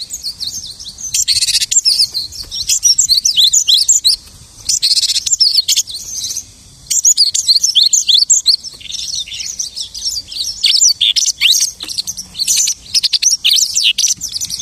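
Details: Lark imitating many other birds in a long, continuous high song of rapid twittering, chirps and trills, with brief pauses before it resumes at full pace.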